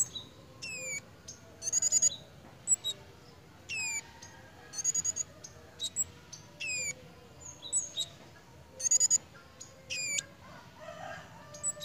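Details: Pied fantail in breeding condition, with lively behaviour. High squeaky notes come in quick bursts: sharp rising strokes and clustered ticking notes, repeated every second or so over a soft background hum.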